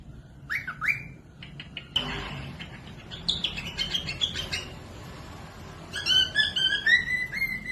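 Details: Cockatiels whistling as a tutor recording for birds that are slow to sing: a few slurred whistles, a burst of harsh noise, rapid rising chatter, then a closing pair of pure whistled notes with strong overtones.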